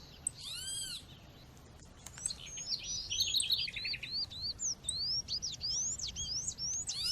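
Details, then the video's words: Female coleiro or papa-capim seedeater calling, played over nature sounds to stimulate males: a quiet start, then a quick series of thin, high, rising and falling chirps, with a ringing arched whistle near the beginning. "fêmea chamando com som de natureza esquente já seu coleiro ou papa capim"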